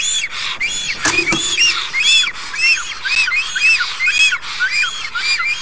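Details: At a nest in Karula National Park, Estonia, a black stork greets its arriving mate with a run of high, squeaky, arched whistles, about two per second; a few sharp knocks sound early on.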